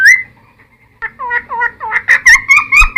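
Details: Singing cucak timor, recorded as tutor material to lure and train newly caught birds: a long whistled note, a pause, then a rising series of clear slurred whistles growing louder and quicker.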